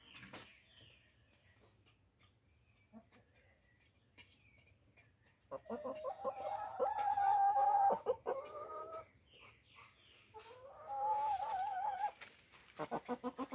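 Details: Tame Light Brahma chickens, backyard ornamental poultry, feeding on corn. After quiet pecking, a hen gives a drawn-out harmonic call lasting about two seconds, then a second wavering call, with clicking taps around them.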